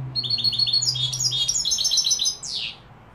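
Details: European goldfinch, linked to Malaga and Morocco, delivering a rapid run of bright, tinkling twittered notes over about two and a half seconds, ending in a downward slurred buzz, with a low steady hum underneath at first.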